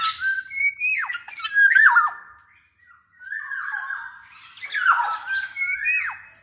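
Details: A black-naped oriole in full voice. The recording is meant to coax reluctant orioles into singing. Loud, raspy, nasal phrases bend up and down in two bursts with a short silent gap between them.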